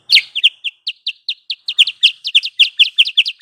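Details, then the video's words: Sooty-headed bulbul lure call for bird trapping: loud, high, downward-slurred chirps delivered in a fast, even run, some doubled, roughly five per second. "Suara pikat Burung Kutilang sutra"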